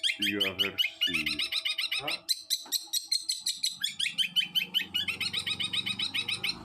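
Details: Long-tailed shrike (cendet) in loud nonstop song: dense, varied chattering and whistled notes tumbling without pause, mixed with lower harsh nasal sounds early on and near the end.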